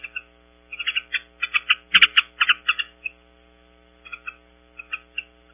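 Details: Mountain bluebirds returning to visit Audubon Starr Ranch, California, picked up by a webcam: soft, short chattering notes in quick clusters, then a pause and a few scattered notes, over a steady electrical hum, with one sharp click.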